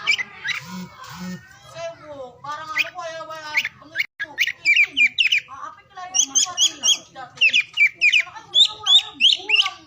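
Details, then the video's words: Oriental magpie-robin song recorded in morning, midday and afternoon, played to stir silent or lazy birds into singing: rich, varied phrases, first low harmonic warbles, then bright rising and falling whistles and chirps repeated quickly, with a faint low hum underneath. "KICAUAN KACER DI PAGI SIANG SORE HARI"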